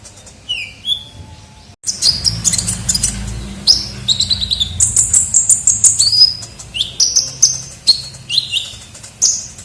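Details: Ninja sunbird (kolibri ninja) lure sound: after a brief pause, a fast, excited chatter of high chirps and short whistles, with some lower swooping notes and a faint background hum.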